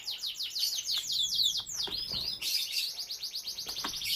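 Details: Domestic canary bred in captivity, delivering a loud continuous song: a fast series of descending slurred whistles and swooping notes, then a rapid rhythmic trill of repeated bright syllables.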